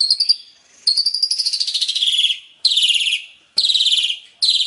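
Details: Asian pied starling song with complete fill: rasping, rapidly stuttered high phrases that sweep gently downward. The longest run lasts nearly two seconds, and shorter bursts follow at about one-second gaps. No other sounds.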